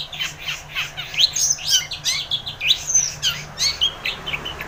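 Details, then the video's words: Long-tailed shrike in lively full song, used to spur a quiet bird into singing: a continuous rapid warbling jumble of sharp chirps, slurred whistles and twittering notes, with a soft low hum underneath. "Cendet Gacor ××× isian PANCINGAN CENDET MALAS BUNYI / AGAR burung pentet gacor SEKETIKA"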